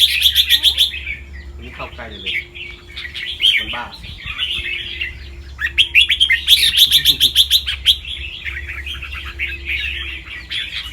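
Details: Caged albino red-whiskered bulbul, a fancy white bird with red eyes from a competition line in Chonburi, Thailand, in practice singing: fast, dense chattering warbled phrases with bright, loud bursts of high notes, over a low steady hum.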